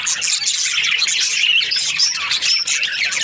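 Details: Australian budgerigars in breeding season, many birds at once: busy high-pitched chirping with quick rising and falling whistled notes layered over a steady bed of twittering chatter.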